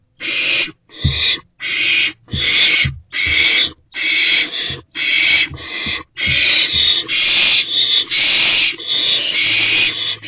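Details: Owlet swallowing a newly delivered rodent in a nest box around 1:25 am, 16 March 2024; rapid series of short raspy hisses that merge into a longer run of overlapping harsh hissing toward the end.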